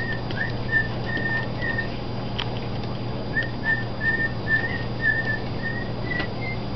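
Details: Pet bird, a father, singing softly to his chicks a couple of days old in the nest indoors; short whistled notes at a steady pitch, repeated in two bursts with brief pauses, over a low steady hum.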